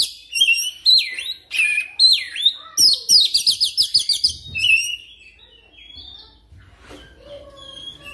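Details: Oriental magpie-robin training lure for quick, rolling song. Strong slurred whistles descend in pitch, then a rapid string of about ten high, ticking notes follows before the singing fades into soft, scattered faint notes.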